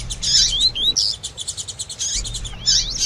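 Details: A double-collared seedeater answers female calls with tui tui song, meant to set off a male. Continuous high buzzy chatter is broken by swooping whistled slurs near the start and end, with a soft low hum behind.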